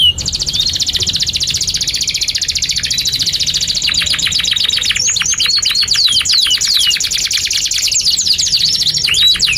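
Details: Canary in long nonstop song used to train young canaries: dense high rapid trills changing speed and texture, with clipped chirps and whistled slurs woven through for nearly ten seconds.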